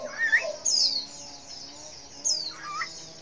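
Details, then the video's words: Female white-eye call to prompt males to answer: two piercing high downward-sliding notes, each preceded by softer, lower warbled notes. "Suara CALL PLECI BETINA Super Lenjeh BIKIN Pleci Jenis Apapun Cepat Respon"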